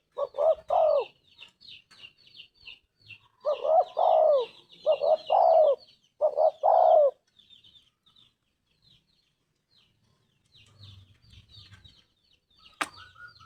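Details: Spotted Dove (tekukur) cooing in 'gacor' style: a run of low paired coos in the first half, then quiet with faint high twittering of small birds and a sharp click near the end.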